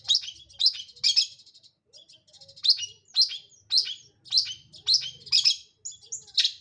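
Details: Long-tailed shrike perched in one spot and singing freely, giving sharp, separate harsh notes roughly twice a second, mixed with brief thin twittering runs, clear and loud against a quiet background.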